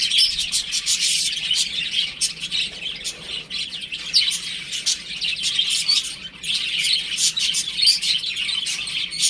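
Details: Baby chicks playing indoors at home; a crowded flock chirps nonstop, with sharp high peeps layered into a continuous, fluttering wash that eases slightly midway before building again.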